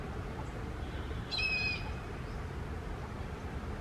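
An Indian grey hornbill gives a single high, squealing note lasting about half a second, over a steady low rumble of background noise.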